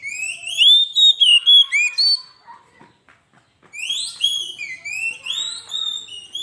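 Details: Kacer, or Oriental magpie-robin, singing gacor-style as masteran pancingan: a loud run of rising whistled notes repeated several times a second, a near-silent gap with faint clicks, then a varied high warbling phrase.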